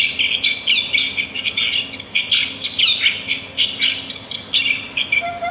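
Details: Outdoors in natural surroundings, a flock of sparrows keeps up steady, lively twittering: rapid, high, clipped chirps tumbling over each other throughout.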